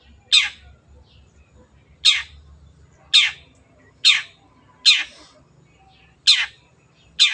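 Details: Long-tailed shrike producing seven rasping, scolding notes spaced about a second apart over a faint low hum.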